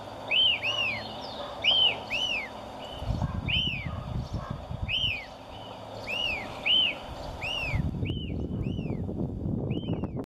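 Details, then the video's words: White-crested Elaenia, a spring–summer migrant breeding in Chile, gives its repetitive, clear, arched "fio" whistles, singly or in quick pairs about once a second, over bursts of low wind or traffic rumble. "FIO FIO"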